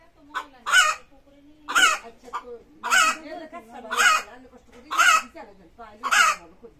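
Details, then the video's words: A hen, reportedly screaming to lay eggs, repeats loud, harsh, screechy squawks about once a second, each led in by a few quick softer clucks, with a faint low hum behind. "Chicken screaming to lay eggs | Chickens Squeaking Sound"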